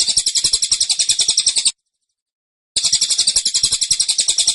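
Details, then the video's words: Two bursts of quick, shrill chirping from a cililin in the 'tembakan' style, notes tightly spaced and insistent, with about a second of silence between them. "Tembakan Cililin Suara Rapat Dan Ngotot"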